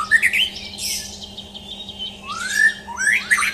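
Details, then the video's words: Brief burst from a champion white-rumped shama (murai batu) in a mental test: quick whistled notes, a smooth rising slur, then a sharp upward flourish, with a low hum underneath. "Tes Mental Murai Batu Juara"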